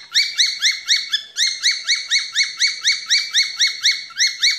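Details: Whistled song of a falk bird, used as tutor material for training birds. Short rising whistle notes repeat rapidly with a brief break near the start, then continue in an even chain over a near-silent background.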